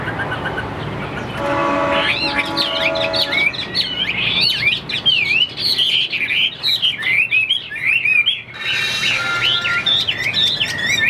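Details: Caged Chinese hwamei, a fighting, wing-fanning bird, sings after an opening steady droning tone, launching into fast, lively whistled warbles of sweeping slurs that continue to the end.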